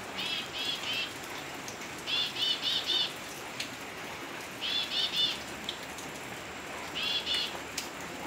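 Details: Elegant tit (Pardaliparus elegans), a Philippine endemic, calls in quick bursts of three or four high, thin notes, repeated every two to three seconds, over a steady hiss like rain.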